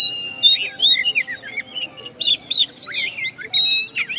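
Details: Caged oriental magpie-robin, a first-place contest winner from West Kalimantan, after the contest: a busy tumbling song of twisting whistles, upslurs, downslurs and scratchy notes, delivered in loud bursts with short gaps.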